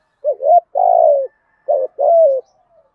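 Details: Cooing spotted dove, 'thúc gù' style with a deep earthy voice that suits wild doves: two phrases, each a quick wavering double note followed by a longer, level coo that sinks at the end. The background is quiet.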